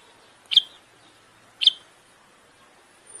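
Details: Common bulbul in breeding song meant to stimulate a female: two loud, sharp, high chirps about a second apart against a quiet background.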